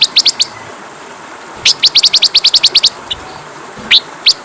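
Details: Kacer, or Oriental magpie-robin, from a masteran training recording: short, sharp, high chip-like notes in quick bursts of several, separated by quiet gaps, against a clean, quiet background.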